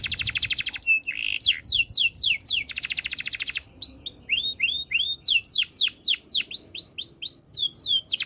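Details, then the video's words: Canary singing rapidly: bright fast trills alternating with series of sweeping down-slurred whistled notes, about four per second, varied and continuous. "KICAUAN BURUNG KENARI BIKIN KENARI GACOR DOR ● OCEHAN BURUNG KENARI BIKIN IRI"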